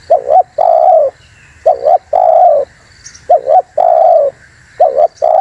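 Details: Spotted dove coo meant to attract and provoke wild doves; soft double-humped note then a sustained low coo, repeated four times at an uneven pace.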